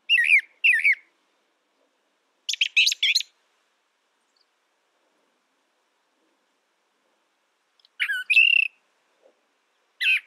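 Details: Brown thrasher song given sparsely: short clusters of harsh and whistled notes separated by long silent gaps of several seconds, with doubled elements in some bursts.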